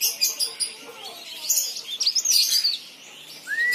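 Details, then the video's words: Vigorous leaf warbler song used as a lure to get other leaf warblers singing: rapid, high, squeaky twitters and slurred notes in quick bursts, ending with a short rising whistle. "burung cikrak daun gacor istimewa"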